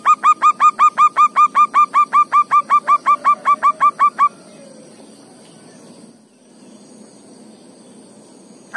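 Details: Forest-dwelling local zebra dove with a sweet, soft voice: a long, very regular string of about twenty short hooked coos, followed by several seconds of quiet background hiss.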